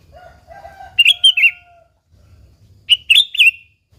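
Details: Sooty-headed bulbul song used as a lure to get other bulbuls singing: two bursts of bright, bubbly warbled notes, rising and falling, separated by a pause, with a soft lower whistle and faint low background rustle.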